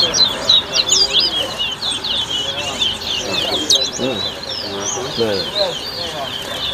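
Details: Towa towa birds competing in a 2022 whistling contest at a bird club in Better Hope, Guyana: quick, sharp, high whistled phrases in a steady run, over a murmuring crowd with occasional lower voices.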